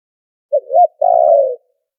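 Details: Noise-filtered spotted dove lure call: a clipped opening coo, a rising-falling note and a prolonged vibrating croo, low and mellow, heard once in silence.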